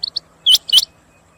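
Rain quail calling: two soft high chips, then two loud, sharp metallic whistled notes in quick succession. The background is quiet.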